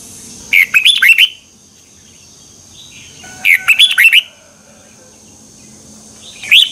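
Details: Red-whiskered bulbul morning training song from 2021, a double twisting voice style used to tutor other birds: a short burst of five or six sweet, warbled notes, repeated about every three seconds in a quiet setting.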